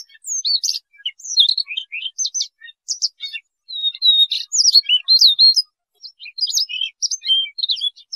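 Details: Siberian rubythroat, song used for trapping: lively, varied high warbling in short phrases of whistled slurs, chips and scratchy trills, with brief pauses between bursts.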